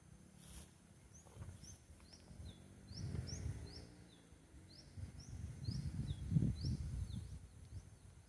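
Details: A Cinnamon-banded kingfisher perched on a roadside tree gives a steady run of thin, high, upslurred notes, about two or three per second, faint over a low rumble of wind.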